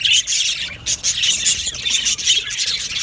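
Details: Many budgerigars in an aviary colony chattering together, with sharp squawks and quick twittering notes packed tightly, with brief dips in loudness between bursts.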